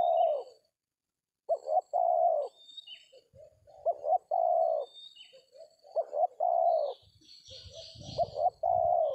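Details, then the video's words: Spotted dove coos steadily during a trapping session with a decoy in an oil palm plantation, giving about four phrases of a short double note and a long mellow coo, plus soft rustling and a faint buzzy hiss near the end. "DAPET TARGET TEKUKUR TERBAIK, SUARA KOMPLIT DAN JAGO TARUNG"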